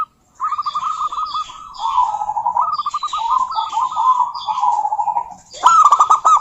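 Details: Female zebra dove of a local strain calling out to a rival, giving a long staccato cooing series of quick trilled notes that dip slightly lower midway, then a louder burst of rapid clipped coos at the end.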